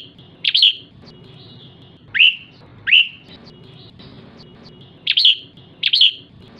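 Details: Ché call of a female red-whiskered bulbul, used to excite males: isolated bursts of one or two sharp, downslurred chirps, spaced roughly one to three seconds apart over quiet background.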